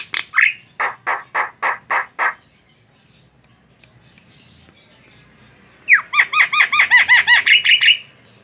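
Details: Tame Javan myna giving a row of six harsh rasping notes, a silent gap, then a fast series of about a dozen bright downslurred whistles.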